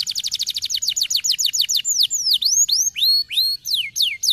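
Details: Canary song played to stimulate lazy canaries to sing: rapid trill of repeated high sweeping notes, then slower looping whistled swoops falling and rising, loud and clear.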